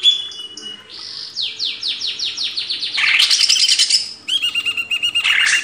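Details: Greater green leafbird singing for cage-bird training: a steady series of descending whistled slurs, then a dense buzzy chatter and repeated rapid trilled notes.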